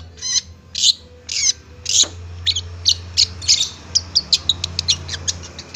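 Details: Long-tailed shrike song from a kept bird: several rasping, buzzy notes followed by quickening sharp high chips, roughly three per second, with steady background hum.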